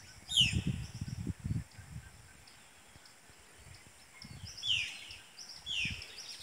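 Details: Brown-throated parakeet in full breeding condition giving a few short, harsh screeching calls several seconds apart, over low thumping and rumbling noise.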